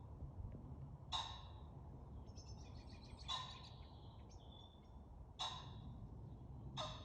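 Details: At night, a common pheasant sounds its alarm, warning other pheasants and signalling a detected predator: four loud, raspy bursts roughly two seconds apart, with faint twittering from another bird between them and steady low noise.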